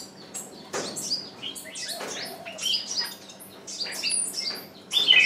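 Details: Decoy bird calling repeatedly to lure wild birds, still without result; scattered high chirps build into denser bursts, ending with a loud, sharp whistled flourish.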